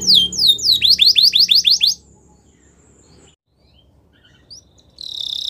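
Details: Belgian canary song for canary training: a quick string of about ten sharp downward-swept whistled notes lasting two seconds, then near silence, a faint note and a short buzzy trill at the close.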